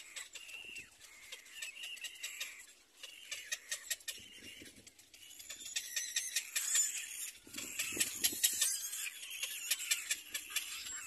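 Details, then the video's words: Baby little black cormorants in a nest competing for their mother's food: a quick, ticking chatter of sharp high clicks mixed with thin wheezy squeals, growing louder and more frantic toward the end. "Little black cormorant Baby Birds compete for mother's food"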